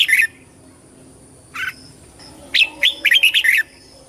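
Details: Red-whiskered bulbul singing for voice training, a brief warbled note, a lower single call, then a longer bubbling run of about six quick bright whistles rising and falling.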